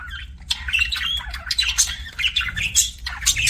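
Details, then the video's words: Budgies chatter almost without pause, with harsh squawky chirps and squeaky flourishes that reach high, packed into dense bursts over a steady low background hum. "BUDGIE CHIRPING SOUNDS"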